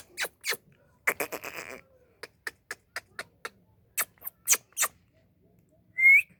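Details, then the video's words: Indian ringneck parakeet kept as a pet, giving scattered sharp clicks, a short buzzy rasping burst, more rapid clicks, and a final bright rising whistle. "Indian ringneck parrot Beautiful"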